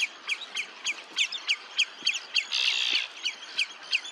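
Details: Red-necked phalarope at Olafsvik, Iceland, on 15 June 2024: short, sharp, high chipping notes about three per second, with a brief burst of rushing noise midway.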